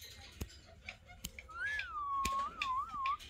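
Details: Pet Alexandrine parakeets sitting together, described as talking parrots; a clear wavering whistle glides down, then rises and falls in two quick bumps over about two seconds, with sharp clicks and taps scattered before it in a small room.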